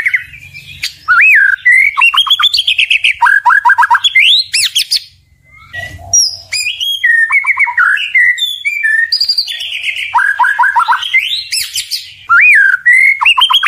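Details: Kept white-rumped shama, called murai batu, pouring out a long rich song of clear whistles, rapid repeated down-slurred notes in bursts, high sharp sweeps and brief pauses between phrases.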